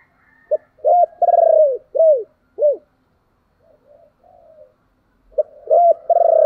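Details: Spotted dove cooing, played to draw wild doves into cooing back: a short low note, a long buzzy drawn-out coo, then two arched falling coos. After a pause with faint soft notes, the phrase starts again.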